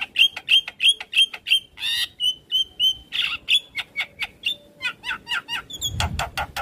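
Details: Masteran of a Javan myna for young captive birds: rapid repeated short whistled chips, about three a second, with harsh bursts mixed in and a few clicks near the end.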